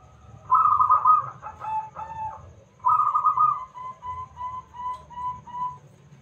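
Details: Active, big-voiced local zebra dove sung as a lure for other doves: two rich, rolling cooed phrases, the second ending in a run of five or six short, evenly spaced notes, over low background hum.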